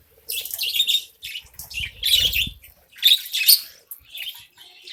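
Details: Caged budgerigar colony eating grain, with bursts of shrill, scratchy chirping separated by short pauses and some low rustling in the background.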